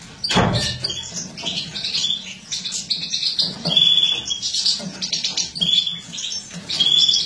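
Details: Female European goldfinch of a mutated captive-bred line, 2017, feeding: high chattering twitter with quick chirps and short steady whistled notes recurring about once a second, after an opening low thump.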